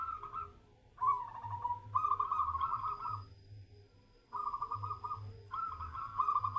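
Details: Local perkutut, or zebra dove, under a mental test, giving four bursts of fast, purring cooing trills with gaps of about a second between them, while a faint high tone and a low hum run underneath.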